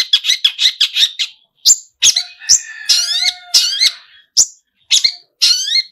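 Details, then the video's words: Long-tailed shrike, locally pentet, singing vigorously with many mimicked phrases. A fast run of scratchy chips opens, then longer squeaky, warbling phrases with sliding whistled notes and sharp, rasping bursts. "pentet full isian gacorr"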